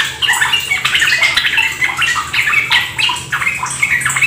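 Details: Yellow-vented bulbul song, a kept bird placed near trickling water: bubbly, rapid chattering phrases tumbling one after another with hardly a pause, over a faint watery hiss.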